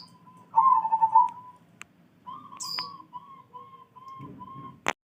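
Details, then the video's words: Zebra dove singing in the morning: a loud rolling coo trill, then a run of short, evenly spaced level notes, with a brief high chirp, a low rumble and a sharp click at the end. "Nyanyian perkutut di pagi hari bikin hati senang"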